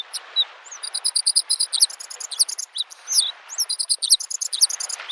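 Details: Spring song of a Bluethroat at a lake, a dense rapid medley of high clicking, ringing and twanging notes, some phrases repeated several times in quick succession, over a gentle wash of lapping waves.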